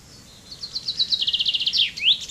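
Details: Common chaffinch song: a rapid descending trill of bright repeated notes lasting about a second and a half, ending in a sharp downward flourish and a rising note, with quiet background.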